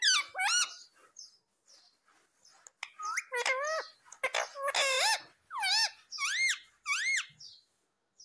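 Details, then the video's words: Talking parrot saying "mummy" and "papa" produces a dense run of loud, wavering, voice-like harmonic syllables, some rising and falling sharply, with brief pauses between bursts. "बोलने वाला तोता मिट्ठू 🦜*****talking Parrot mummy 😍 papa 😍"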